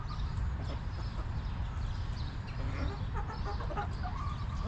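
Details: Chickens in a backyard coop cluck in soft, broken bursts, several low notes in quick succession, against constant low background hum and scattered thin chirps of other birds.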